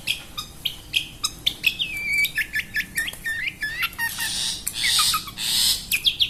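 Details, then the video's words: Pentet, the long-tailed shrike, in lively song: scattered high chirps, a few lower whistled slurs and clicks, then bursts of harsh, noisy chatter, all over steady background hiss. "Burung Pentet Gacordor"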